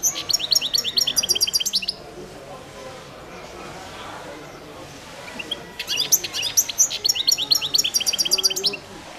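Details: Competition song of a goldfinch of subspecies carduelis balcanica, World Championship 2022: two bright passages of rapid, high twitters and metallic trills separated by several seconds of near silence.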